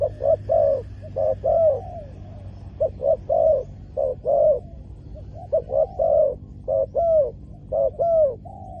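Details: Spotted dove calling during ground-level decoy luring of wild doves: low, hollow cooing phrases of two to three quick notes then a longer drawn coo, repeated steadily, with a faint low hum underneath.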